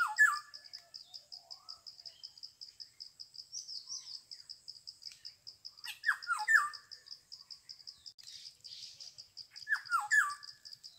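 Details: Black-hooded oriole calling in short bursts of two or three falling, slurred notes, repeated about every four to six seconds, over a steady high pulsing insect chorus.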